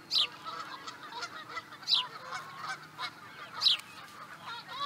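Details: Osprey recorded in Charlo, Montana, USA, 2017, giving three high, down-slurred whistled chirps spaced roughly every 1.7 seconds, with a soft noisy background between them.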